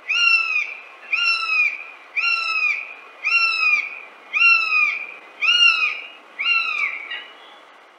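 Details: A Northern Goshawk in Central Russia gives seven nasal, slightly arched wailing notes, about one per second, each half a second long, over faint background hiss.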